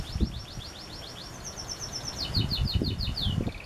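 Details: Pet canary singing a quick, regular trill of high, falling notes that gradually lengthen into broader sweeping whistles, ending on a lower rolled phrase, with rumbling noise in the background.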